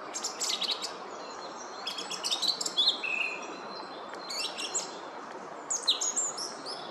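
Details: Song thrush singing in woodland in the Oostvlietpolder, Netherlands, on 24 February 2021, giving high, bright phrases of varied notes and buzzy trills, each repeated in short bursts with pauses between, over a steady hiss.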